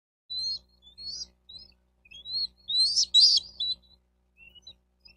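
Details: Bald eagle calling at a nest in Miami-Dade County, Florida, on 4 June 2023 around 12:35. High, thin chirps and squeaky piping notes come in short irregular bursts, rising to a denser twittering cluster midway, then fading to a few faint peeps.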